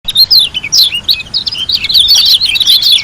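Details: White-eye from Lombok, Indonesia, singing actively: a dense, unbroken run of high, thin chirps and quick twittering notes, with fast rolling bursts and no other clear sounds.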